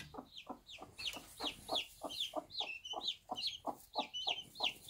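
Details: Bantam mother hen with her one-day-old chicks on a small backyard farm: low rhythmic clucks roughly three per second, overlaid by high, falling peeping chirps from the chicks.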